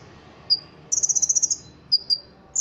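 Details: Ruby-cheeked sunbird kept for song contests, with cricket-like fill in its song: a single thin whistle, then a rapid buzzy rattle of about ten notes, then two more whistles and the start of another rattle.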